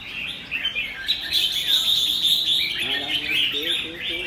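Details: Red-whiskered bulbul singing in the "ché" style: dense, rapid, high chattering phrases of jumbled whistles and trills, with a man talking over the second half.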